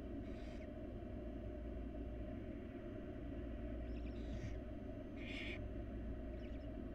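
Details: Wild barn owl nestlings beg during feeding by their mother: a faint hiss at the start, then a louder pair of rasping screeches near the end, with soft ticking sounds, over a low hum.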